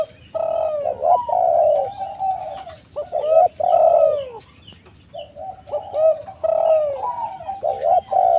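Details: Overlapping spotted dove coos from a lure recording meant to make doves respond: dense, mellow phrases with a brief lull midway, then more cooing, and a thin high tone in the background.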